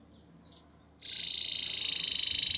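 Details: Belgian canary, intense yellow, singing: after a brief high note, a loud steady rapid trill begins and continues to the end, pulsing evenly.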